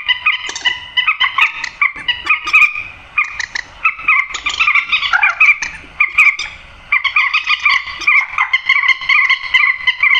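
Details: Long sequence of raucous, nasal grey-headed swamphen calls used to lure birds into nets at night, choppy squealing bursts with brief breaks, ending in a steadier run of repeated harsh notes.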